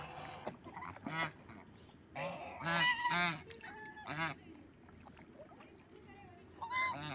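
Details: Angry geese giving a rapid series of harsh, nasal honks, several birds overlapping in bursts, some honks rising and bending, with quieter gaps between clusters and a faint low background hum.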